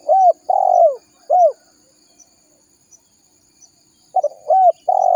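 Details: Spotted dove, a lively ranting-type bird used as a lure to call wild doves, gives mellow arched coos; a short phrase of three coos with one drawn-out middle note, a pause, then the phrase begins again.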